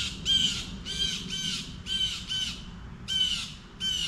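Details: Blue Jay calling on a windy day: a quick run of about six harsh, buzzy jeers, each with a ringing downslurred edge, coming in uneven bursts over soft background wind.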